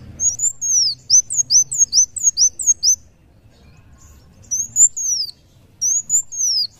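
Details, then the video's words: Kolibri wulung sunbird in lively muncang daun song: a rapid run of about ten high, thin, downward-arching whistles, silence, then two shorter phrases of similar slurred notes. "kolibri wulung muncang daun gacor"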